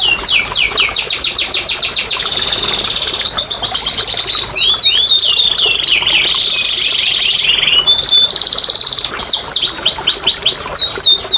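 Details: Song of a canary, used as a prompt to make lazy canaries start singing; long rapid trills, buzzy rolling passages and sweeping downslurred notes follow one another continuously, bright and high-pitched.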